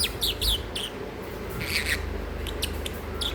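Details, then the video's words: Sleepy masked lovebird kept as a pet giving a few bursts of short, high chirps and squeaky notes, some in quick pairs, over a steady low hum. "Sleepy Bird #Bluey #Masked lovebird # Noisy #Cutesounds"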